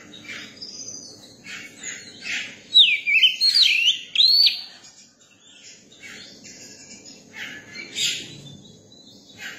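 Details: Young Oriental magpie-robin singing. Soft scattered chirps and chatter lead into a loud run of swooping, looping whistled notes in the middle, followed by quieter twittering notes to the end.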